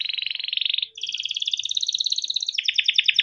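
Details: Caged canary singing a long tutor song: a dense fast trill, a brief break, then a higher rolling trill that drifts into a coarser rapid rattle.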